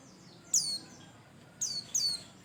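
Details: White-eye singing as a prompt for other birds: bright, piercing notes that slide downward, one single chirp followed a second later by two close together, with quiet gaps and light background hiss.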